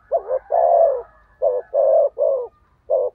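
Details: Spotted dove used as a lure bird for wild doves, cooing rapidly. Hollow notes come in quick succession: a double note, a long coo, then several evenly spaced coos. The setting sounds indoors.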